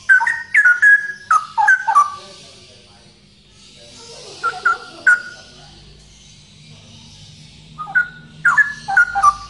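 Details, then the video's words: Male straw-headed bulbul singing loudly: bursts of rich, bubbling, slurred whistles, delivered in quick clusters at the start and again near the end, separated by a quieter pause with soft background hiss. "Burung Cucak Rowo Jantan Gacor Suara Lantang"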